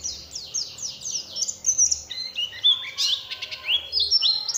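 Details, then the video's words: Oriental white-eye song played to provoke other white-eyes: a run of high downslurred notes followed by mixed chirps, trills and lower rising whistles in a lively, varied sequence. "pancingan suara untuk pleci agar mau kluar isian"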